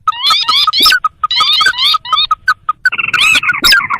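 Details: Sintar, a paddy-field and swamp bird, used as a lure for trapping wild birds: rapid series of short harmonic notes, some upslurred with hooked tops, then a denser buzzy ringing stretch near the end.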